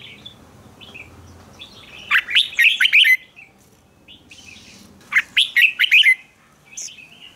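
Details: Red-whiskered bulbul singing its fighting song, meant to train birds to sing hard in competition: two loud bursts of quick, warbled whistled notes near 2–3 and 5–6 seconds, separated by quieter scattered chirps.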